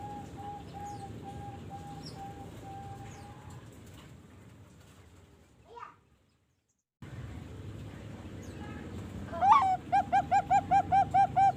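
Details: Young Bangkok zebra dove aged 3.5 months from a bird farm; a faint steady tone and brief silence, then a fast run of short, even, rhythmic coos at the end over background hiss.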